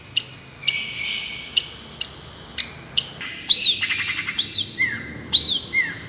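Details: Long-tailed shrike 'miyik' therapy song: spaced sharp high notes, then a quick rattle and several clear, arched, downslurred whistles, some lower and some higher.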